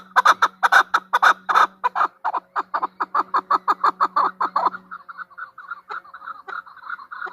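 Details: Female chukar partridge calling: a fast series of loud, harsh clucking notes, about three per second, that turn softer and quicker after five seconds, over a steady low hum.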